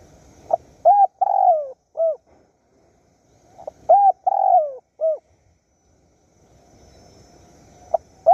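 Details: Surat Thani, Thailand, Bang Bai Mai: a spotted dove calls for a mate during a wild dove luring session, with two full mellow coo phrases that dip at the end and the first note of a third, in a quiet setting.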